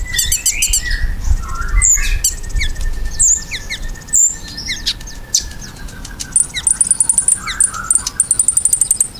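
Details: Ruby-cheeked sunbird singing energetically, played to prompt pet birds to answer: overlapping high chirps, slurred whistles and rapid ticking series, ending in a fast, regular run of sharp high notes, with low background rumble.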